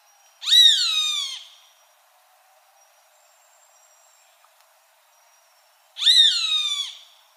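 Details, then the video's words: Roadside hawk giving two long, harsh, nasal screams, each about a second long and sliding downward in pitch, separated by roughly five seconds of near silence. "Som de Gavião-carijó"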